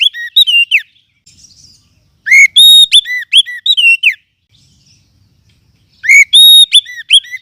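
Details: Oriental magpie-robin from the forest, a lure recording for training other birds: sharp whistled notes, looping up and down in quick phrases, in three bursts with quiet gaps between.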